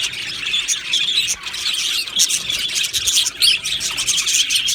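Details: Happy budgerigars in an aviary colony, a dense continuous chorus of many birds: high chirps, squeaks and warbling chatter overlapping throughout, with sharp louder notes near the middle and end.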